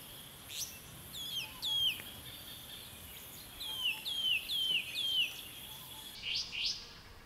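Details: Restless flycatcher (Myiagra inquieta) in the Capertee Valley, NSW, in June, just before sunset on a cool, mostly sunny afternoon while birds drink and bathe: a series of clear, sharply down-slurred whistled notes, some paired, over soft background hiss.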